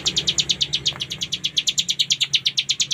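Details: Fast repeated high chips from a cigun, steady and rhythmic at roughly seven per second, forming the continuous ngebren trill. Low hum behind.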